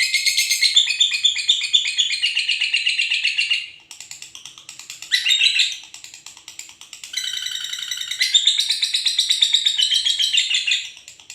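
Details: Pair of lovebirds noisy at night: dense, rapid high-pitched chattering and squeaky chirps in long continuous bursts, with a brief pause midway before the shrill chatter resumes.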